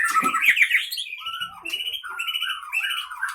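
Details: White-rumped shama, wild-caught 2012-2015 in Pining, Leuser, Gayo Lues, Aceh, fighting in a cage: harsh, sharp opening burst followed by fluted, sliding whistled phrases, brisk and varied.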